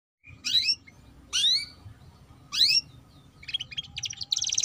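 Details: Young canary singing in the chattering ngeriwik style, a lure recording meant to coax young canaries into song: three loud, steep downward-sweeping whistles about a second apart, then a burst of fast buzzy trilled notes at the end.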